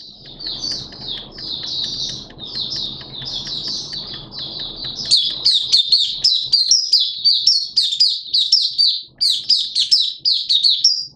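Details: Malaysian oriental white-eye in open song, kept by hobbyists: a long run of soft, fast twittering warbles over low hum, then louder high chirps tumbling rapidly for several seconds.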